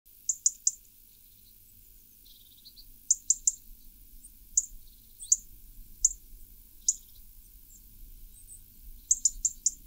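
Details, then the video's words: European robin alarm call: sharp, high ticking notes, often in quick runs of two or three, with a few thin, faint whistles between them. "European Robin alarm call"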